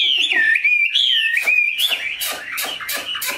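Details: Chinese hwamei, tame and big-bodied with a fine voice, gives smooth wavering whistles, followed by softer warbling cut through by regular loud clicking knocks.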